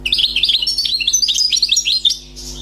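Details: Wild, newly caught European goldfinch singing: a continuous rapid twittering phrase of high, tinkling, buzzy notes running for over two seconds, with a steady low electrical hum behind.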